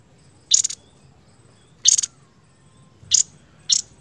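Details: Seniper singing in a masteran variation recording from Indonesia, short bright chirped bursts repeated about every second or so, each a dense high trill, with a faint high steady whine in the background.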